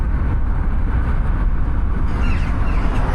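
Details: A loud, steady low engine rumble of a moving vehicle, with no animal calls.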